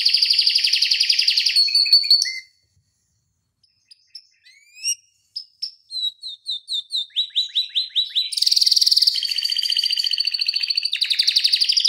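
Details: Canary tutor song with long 'ngeroll' rolls for prompting other canaries. A rapid trill stops, then sparse high chips build into a row of quickening falling notes before dense buzzy rolls return.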